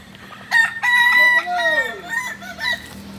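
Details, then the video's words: Crow of a kukuak balenggek rooster at a singing contest final in Ampang Kualo, Kota Solok, 8 September 2024: strong steady opening notes, then a falling arched phrase and short trailing syllables, with a low hum behind. "Final latberan ayam kukuak balenggek"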